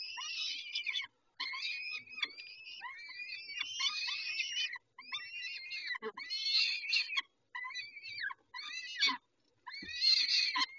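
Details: Peregrine falcons at Dobra, recorded at 11:48 on 19 May 2021 while being fed. Almost continuous hoarse, wavering screeches with short gaps and a few low bumps.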